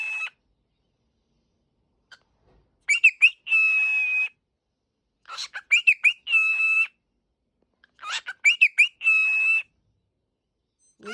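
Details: Cockatiel waking up indoors repeats a set phrase three times, roughly every three seconds: quick rising chirps followed by a steady raspy screech, with silence between.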